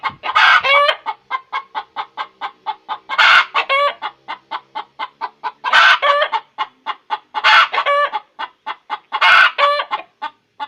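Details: Egg-laying hen cackling: steady train of short, sharp clucks punctuated about every two seconds by a drawn-out, strident squawk, the pattern repeating through the recording.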